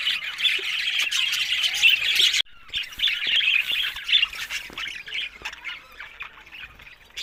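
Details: Budgies giving harsh, scratchy squawks and chatter, loud at first, then a sudden break followed by softer, more scattered calls that fade toward the end.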